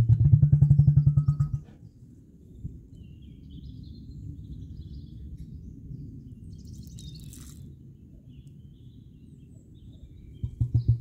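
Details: Female emu drumming: deep, low booming pulses in a rapid throbbing series for the first second and a half, a softer low rumble in between, then the pulsed drumming returns at the end.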